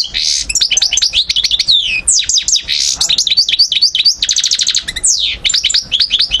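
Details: European goldfinch singing in Algeria, 2012: a fast, tumbling run of bright twittering and sweeping high notes, with buzzy fluttering bursts and a short rapid trill near the end, almost without pause.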